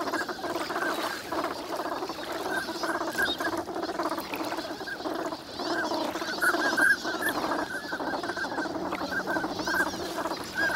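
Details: Dense flock of migrant ducks wintering at Nagahama, Lake Inawashiro, Japan, on a fine morning. Continuous rapid pattering chatter from many birds, with a few clearer call notes standing out.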